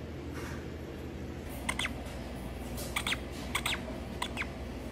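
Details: A critically endangered hooded vulture chick at an alligator farm gives short, squeaky, wheezy bursts, four or five spaced about a second apart, over a steady low hum.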